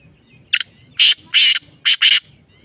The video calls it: Black Francolin voice